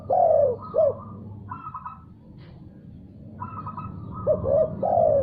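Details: Answering spotted dove heard after another call. A long slurred coo and a short coo open the clip, then a pause filled by a higher stuttering note. A phrase of two short coos and a drawn-out falling coo follows.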